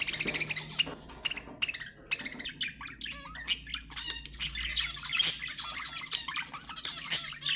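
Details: Budgerigars, sounds meant to stimulate mating: dense warbling chatter of quick chirps, squawks and clicks, with sharp high notes punctuating a busy, continuous stream and overlapping voices throughout.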